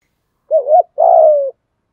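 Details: Spotted dove in the thổ voice style, cooing to lure wild doves in: a short two-part phrase, a brief wavering hoot followed by a longer, steady low coo that slides slightly downward. No other sounds.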